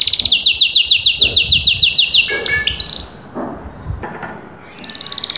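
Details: Canary giving a steady, fast trill of regularly repeated notes for two seconds, then scattered softer notes and background knocks, ending with a faint trill.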